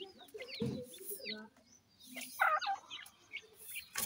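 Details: Francolin; chick calls; chicks calling their mother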